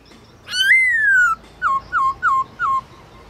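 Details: Black-throated laughingthrush singing at midday, forest-style voice used in training: one long slurred whistle that rises and slowly falls, then four short, evenly spaced notes that each dip in pitch.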